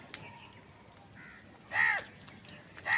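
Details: A crow in a village lets out one loud, rasping caw midway, and a second begins at the very end; soft chirps of small birds sound faintly before it.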